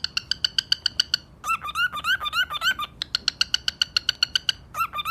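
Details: Macaw parrot calling: a run of sharp, evenly spaced clicks, then a burst of short squeaky warbling notes rising and falling, more clicks, and a final squeaky note; sounds recorded indoors.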